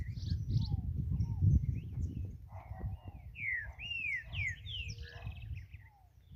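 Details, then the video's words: Wild green-winged saltator singing free in nature: a run of loud slurred whistles, each rising then falling, delivered in quick succession over rumbling low background noise. "Trinca ferro cantando solto na natureza."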